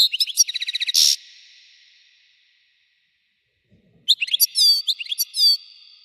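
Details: Twittering European goldfinch song with fast chirps and a buzzy rattle, then a pause, then more bright, sliding whistled notes and trills.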